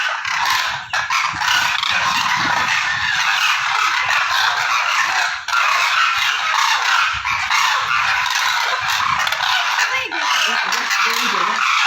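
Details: Dense calling of demoiselle cranes, the koonj, on migration: continuous overlapping throaty honks and rattling croaks from a large gathering, holding an even loudness throughout with only short lulls.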